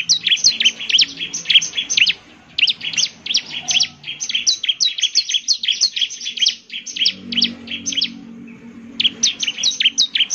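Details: Over ten seconds of bar-winged prinia song aimed at making other prinias reply, in rapid high chirping phrases broken by short silences, with a faint low murmur in the background.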